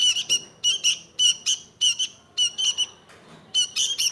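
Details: Sooty-headed bulbul singing. Short, harsh chattering bursts are repeated roughly once a second, each note ringing with a bright overtone. There are brief gaps between the phrases and no other clear sounds.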